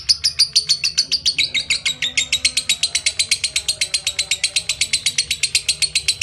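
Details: Lovebird giving its long ngekek chatter song: a fast, steady train of sharp, high chirps, about four to five a second, running unbroken for over six seconds with a faint low hum beneath.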